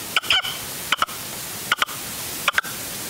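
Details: Red-legged partridge decoy calling on an afternoon hunting stand in upper Huelva, Spain, 25 January 2023; four brief pairs of harsh, chuckling notes, about one pair every three-quarters of a second, against a steady hissing background.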